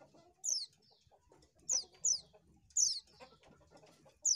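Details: Lure recording of an Oriental white-eye: loud thin high notes dropping steeply in pitch, some in close pairs, roughly five in four seconds, with gentle low clucking underneath.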